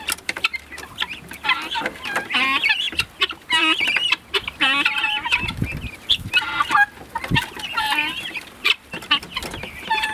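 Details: Several guineafowl on their first time outdoors chatter together in loud, overlapping bursts of harsh, rasping, harmonic calls, broken by short pauses, with a few low thumps that may be wingbeats.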